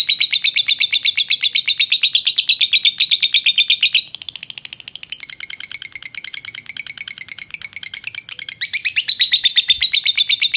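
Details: Kantil lovebird, a show bird from Jogja, Indonesia, delivers its long ngekek song: a fast, unbroken string of high chattering notes nearly three per second, briefly softer in the middle before swelling loud again.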